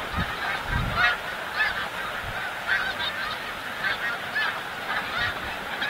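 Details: Migrating snow geese at Montmagny, Quebec, call in a flock: a steady overlapping chorus of nasal, yelping honks with louder calls standing out every second or so.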